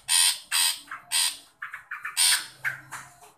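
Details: Long-tailed shrike calling to draw out a shy shrike: harsh, grating rasps of about a third of a second, mixed with shorter clipped notes in a quick irregular run.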